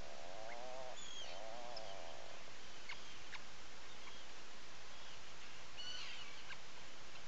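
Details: Atlantic puffin inside its nesting burrow at a breeding colony on Seal Island National Wildlife Refuge, Maine, in early morning: two drawn-out, wavering, low moaning growls in the first two and a half seconds, then faint distant chirps from other birds outside.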